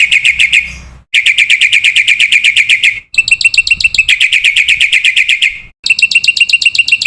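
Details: Black-winged myna masteran song for training young caged birds: several bursts of rapid, strident repeated notes, about four each second, split by brief silent gaps.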